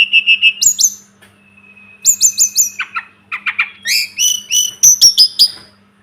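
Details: Sunda robin (tledekan gunung) masteran song: quick sets of four or five sharp repeated chips, a long thin steady whistle, then clusters of descending whistled notes and bright repeated upslurs.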